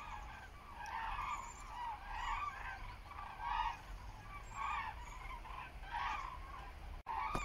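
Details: Flock of common cranes (Grus grus) flying over Frankfurt am Main-Preungesheim heading SWW, 17 October 2023 at 14:45 under cloudy, hazy skies: loud rolling trumpet calls, overlapping about once a second, over a steady low rumble.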